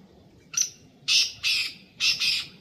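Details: Black francolin delivering its harsh, grating call: a brief first note, then two loud rasping notes and a final doubled note, clear and close with little background.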